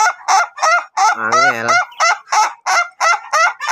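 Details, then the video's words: Ayam Ketawa, a laughing chicken of the duration type trained to crow long, gives short, choppy cackling syllables in quick regular succession. One lower, longer quavering note is woven in near the middle. "CARA AGAR AYAM KETAWA TYPE DURASI KOKOK PANJANG"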